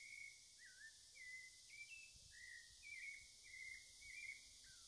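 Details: Cocoa thrush singing in Amazon rainforest, its clear whistled notes strung together, some slurred downward, others slightly rising, in a quick varied sequence beneath a constant high insect drone.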